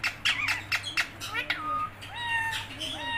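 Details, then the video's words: Parrot producing a rapid burst of clipped, talk-like squawks followed by clear whistled notes that slide and level off, several tonal phrases in a row, with a steady low hum behind. "parrot voice"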